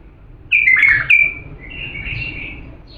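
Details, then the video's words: Diyala bulbul, an Iraqi bird, singing to teach chicks: two loud, clear whistled phrases with quick falling slurs, then a softer, drawn-out warble trailing off. "تغريد بلبل ديالى الاصيل لتخريج الافراخ"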